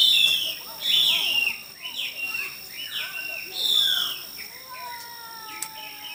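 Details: Hwamei contest singing: a run of loud high whistled notes, several dropping steeply in pitch, then softer level whistles near the end, with voices and a faint background hiss.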